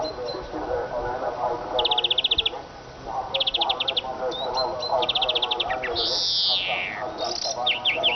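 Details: Eurasian siskin singing: repeated fast rattling trills, thin chirps and a drawn-out wheezing note that slides downward, then more quick descending notes, over busy lower chatter.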